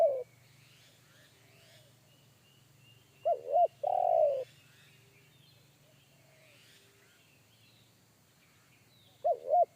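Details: Spotted dove of the forest with a heavy bass voice, the one-kuk type, which startled a trainee decoy dove. One complete phrase of two looping coos and a long purr sits between partial calls, over a low hum.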